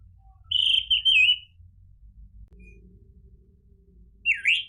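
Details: Orange-headed thrush (anis merah) gives a long, clear, wavering whistle, then after a quiet stretch a short rising slurred note, against a low humming background.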